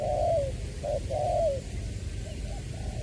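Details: Spotted dove kept as a decoy bird, from Long Đức in Trà Vinh, Vietnam, recorded 22 February 2021 and said to have a true "tiểu" voice: mellow cooing notes, a long drawn coo falling at the end, over steady low background rumble.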